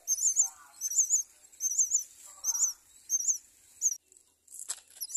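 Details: Mynas raising four chicks at the nest: rhythmic bursts of very high, wavering, wheezy chattering, roughly every 0.7 seconds, with occasional lower raspy notes and a brief harsh click near the end.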